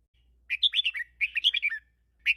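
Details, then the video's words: Red-whiskered bulbul with a 'mae khru' teacher song in the 'double 3' style: two rapid phrases of loud, liquid whistled notes rising and falling, then a single note opening the next phrase, against silence. "เสียงนกกรงหัวจุก | แม่ครูสายเบิ้ล3เพราะๆ"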